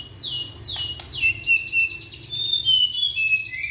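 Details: Young white-rumped shama from Indonesia, used as a lure for shamas that stop singing, gives very high, thin sliding whistles and a sustained ringing trill over a few sharp clicks.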